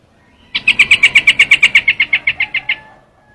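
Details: Trao trảo bird delivering a single steady series of about sixteen sharp, high, clipped notes in quick succession, evenly spaced, fading slightly toward the end.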